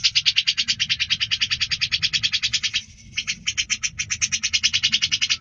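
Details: Prolific song of the cucak jenggot, or grey-cheeked bulbul, used to tutor other cage birds: a long fast series of harsh, buzzy high notes, briefly interrupted, then continuing at the same rapid pace.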